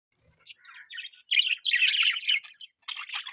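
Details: Budgerigar chirping: a busy run of short, high, scratchy chirps and warbles, soft at first and then louder and denser, with a brief pause before a final burst.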